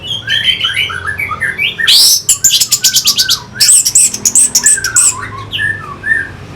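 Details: Orange-headed thrush song used as a lure to rouse fighting birds: varied whistled phrases between lower and higher notes, broken by a burst of sharp, rapid, harsh notes in the middle before the whistles resume.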